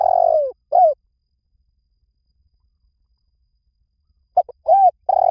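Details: Spotted dove cooing: a long, low, slightly falling coo and a short upslurred note, then about three seconds of silence before another burst of quick clipped notes and a steady coo, with no other sounds.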